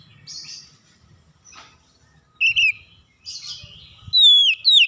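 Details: Oriental magpie-robin calling: soft scratchy notes at first, then a short chirp pair and a loud pair of clear down-slurred whistles at the end.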